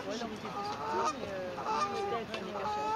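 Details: Adult honks near day-old cygnets, 9 May 2024, recorded by phone: rapid nasal honks running almost back to back, overlapping lower wavering calls underneath, against steady hiss.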